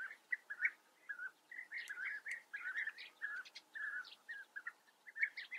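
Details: Chattering European bee-eaters in the Eifel, Germany, pouring out repeated throaty, rolling notes in close succession, mixed with short high clicks and chips from several birds calling together.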